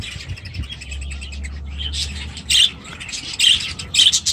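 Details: Budgerigars in aviaries with young chicks, soft chatter first, then loud sharp chirps in short bursts near the end.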